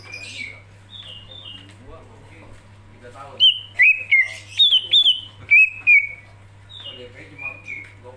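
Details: Greater green leafbird singing energetically: soft, scattered notes give way to a run of loud, sharp whistled notes, some falling and some rising, about two per second, then quieter phrases, over a low hum.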